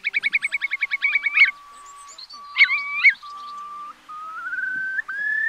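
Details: Eurasian curlew sound used as a night trapping lure in the August 2024 migration season: a quick trill fading into long, level and gently rising whistles, with several overlapping tones and short sharp notes.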